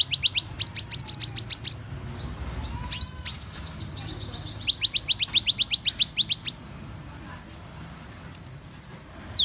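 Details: A long series of sharp, high, descending-then-rising chips from a Van Hasselt's sunbird, broken by brief gaps and ending in a tight, glittering high trill.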